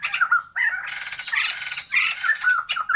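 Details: Captive pair of white-crested laughingthrushes kept for breeding, Sumatran birds, in a noisy duet of rasping squawks and clear whistled slurs that run almost without a break.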